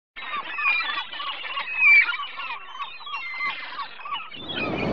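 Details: Ruddy turnstones (Arenaria interpres) at the Ría de Noia chatter in a busy flock, a dense run of quick, hard, overlapping notes, ending in a rush of wind or surf.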